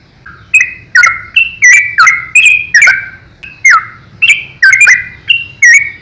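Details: Yellow-vented bulbul singing a lively master song used to train young bulbuls: rich, bubbly whistled phrases around mid pitch, each opening with a sharp note and dropping, delivered in quick bursts roughly every half second.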